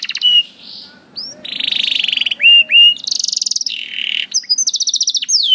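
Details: Canary song used as a tutor for juvenile or reluctant singers: short whistles, a long buzzy nasal phrase, clear slurred notes and rapid trills, with faint background hiss.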